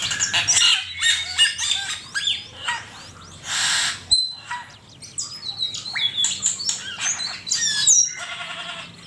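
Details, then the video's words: Asian pied starling song used as a master recording for training songbirds: a dense, varied jumble of whistles, harsh chattering bursts and rising and falling notes, with short pauses between phrases. "Suara burung cucak keling masteran jitu 100% camperling"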